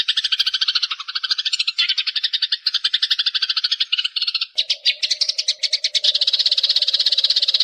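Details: Wild Eurasian tree sparrows in a long recording: a dense flock chatter of rapid, high chirps, first in stacked bands, then a sudden shift after four seconds to a thicker, continuous twittering with a steady low hum beneath.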